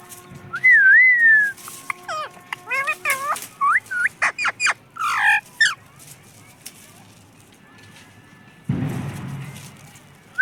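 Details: A pet parrot, said to speak the words "mummy papa", gives a wavy whistle followed by a long string of short clipped squawks and chatter, then a rush of rustling noise before a final whistle.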